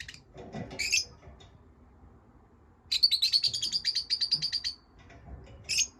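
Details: Chirping pet lovebirds: scattered sharp notes, then a steady rapid trill of evenly pulsed high chirps lasting almost two seconds, and one final chirp.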